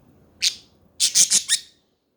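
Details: Budgerigar chatter: one harsh squawk followed by a quick run of four rasping, noisy chirps, ending abruptly into silence.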